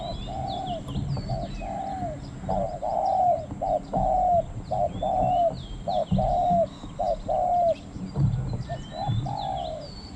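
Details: Spotted dove during a decoy session in a large forest area, with a wild bird heard crowing from a coconut tree. Short mellow coo notes repeat about once a second, some rising then falling, over faint high chirps and a steady background hum.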